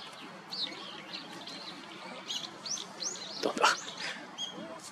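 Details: Azure-winged magpie filmed in Japan, its long tail and pale blue plumage noted, calling: a quick run of short, high, arched chirps, then one harsher rasping note, over a soft background hiss.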